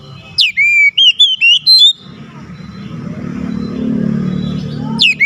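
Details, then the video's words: Oriental magpie-robin singing to provoke a lazy bird: a rapid burst of five loud, sharp whistled notes, then a stretch of low rumbling background noise and the start of another phrase. "Kacer gacor cocok untuk nambah emosi Kacer malas bunyi"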